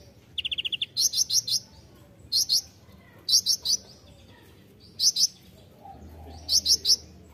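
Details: Songbird-training master of a kolibri ninja sunbird. A brief rapid trill opens, then clusters of two to four piercing high chirps repeat about every 1.3 seconds over a quiet background.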